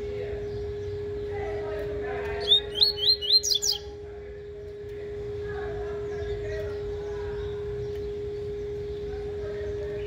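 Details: Double-collared seedeater rehearsing the tui-tui song: one brief burst of about five rapid whistled slurs, followed by a quiet background with a steady hum and faint murmuring.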